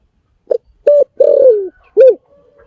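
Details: Clear low cooing of a spotted dove: a short lead-in note, a level coo, a long descending coo and a short end note, with faint low hum after.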